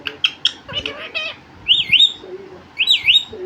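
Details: Talking pet parrot, said to speak mummy papa, gives fast chattering syllables, then two loud wavering whistles that dip and rise, separated by a low, short murmur.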